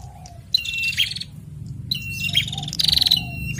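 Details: Bar-winged prinia pair, male and female, answering each other: two bursts of shrill whistles and buzzy trills, the second ending in a fast ticking rattle, over a steady low rumble.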